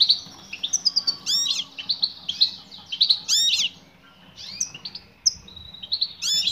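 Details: Female European goldfinch calling to a male: high, bright chirps and twittering notes, some sharply rising or dropping, in quick clusters with short pauses between bursts.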